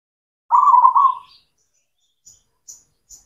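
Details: Singing zebra dove, local cemani bird, meant as a lure for doves that have stopped singing: one loud trilled coo phrase, then three faint high ticks.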